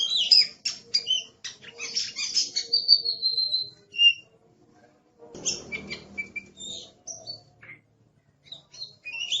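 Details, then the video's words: Aggressive Oriental magpie-robin master song: rapid high chirps running into a long thin whistle, a brief silence and a rustling noise burst, then scattered short whistled notes. "Suara Master Burung Kacer Galak"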